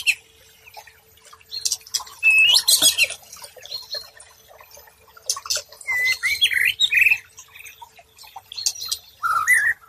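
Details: White-rumped shama song used as a tutor recording for stressed birds that stopped singing: bursts of whistled and chattering phrases, some sliding notes near the middle and end, separated by quiet gaps, with faint background noise.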